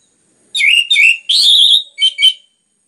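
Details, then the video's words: Loud clear orange-headed thrush song: slurred whistled notes, a longer warbled central note, and two short closing whistles, all within about two seconds. "PANCINGAN anis merah ngeplong gacor rapat cocok untuk MERANGSANG bunyi tambah GACOR"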